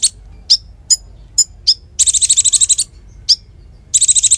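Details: Konin song used to train songbirds. Spaced, sharp, high chip notes lead into a long rattling buzzy trill. A single chip follows, then another trill begins.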